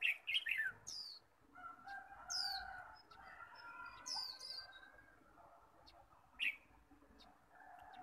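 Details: Japanese white-eyes singing against each other in a contest, kept birds brought out in the morning: rapid twittered notes at the start, then several high, descending whistles spaced a second or two apart over continuous lower chattering.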